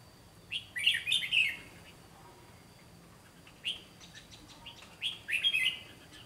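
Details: Red-whiskered bulbul decoy bird giving a fighting song during trapping: clusters of quick, bright warbled and chirped phrases, one burst early and a longer run near the end, over a faint constant high hum.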